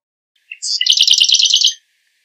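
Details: Marsh wren singing one song: a brief high introductory note leading straight into a rapid, rattling, gurgling trill lasting about a second, loud and clean against silence.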